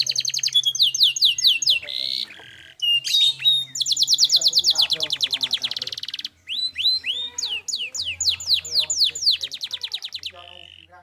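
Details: Canary in vigorous, clear song used as a training recording for other birds: fast high trills and rapid sweeping rolls in changing bursts, with brief pauses between tours.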